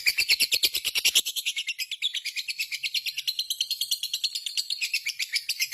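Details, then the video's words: Lovebird kept as a pet, giving a long ngekek chatter meant to prompt other lovebirds to answer: a fast, steady run of sharp, harsh high notes, roughly eight per second, continuing unbroken throughout with no other sounds. "SUARA BURUNG LOVEBIRD GACOR,Jago Ngekek Bikin Lovebird Apapun Langsung Ikutan Nyaut Ngekek Koekk"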